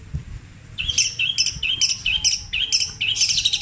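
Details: Long-tailed shrike whose song borrows kingfisher, kuntilanak and sparrow calls, petir style, long and repeated. A series of about eight paired notes, each a whistle followed by a higher sharp note, roughly twice a second.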